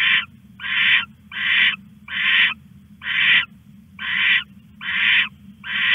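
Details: Owl at night, 1:41 am on 21 August, stashing a rat on a live nest camera; harsh, broadband rasping notes about half a second long, repeated roughly once a second, over a steady low hum.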